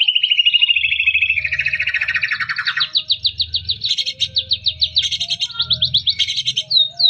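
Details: Vigorous white-rumped shama song meant to stimulate quiet shamas: a sustained whistle, a descending buzzy trill, then long runs of rapid, sharp repeated notes over a low hum.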